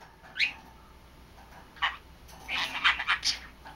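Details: Haru, a 3-month-old male budgerigar chattering to himself, gives short, squeaky warbling chirps, a quick burst near the start, then a rapid run of chattering notes, over a faint steady hiss; he can say a few Korean and Japanese words.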